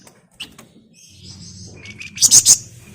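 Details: Flamboyan in lively song, dense ngebren style, used as a lure to get other birds singing; after quiet scratchy notes, three loud, harsh, very high chattering bursts come in quick succession near the end, over a low steady hum.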